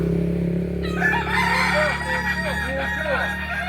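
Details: Crowing Kokok Balenggek rooster from Solok, West Sumatra, starting near one second: sustained harmonic tones with rapid arched syllables beneath, over a strong low mechanical hum throughout.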